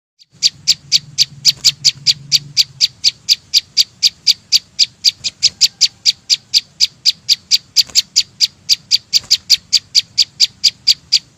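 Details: Chim sâu xanh singing: a long, steady series of sharp, high ticking notes, about four per second, with a faint low hum at the start.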